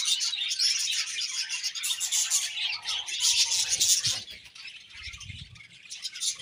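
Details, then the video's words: A group of budgerigars producing busy high-pitched chattering and buzzy twitters that rise and fall in loudness. A faint low thump is heard near the end. "Beautiful Budgies Chirping Sounds"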